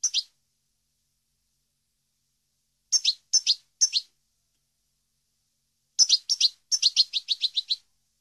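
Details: European goldfinch, from a training recording for captive birds, giving sparse, high, two-part chirps, first singly and in a trio, then a quickening run of about eight clipped notes near the end, with silence between.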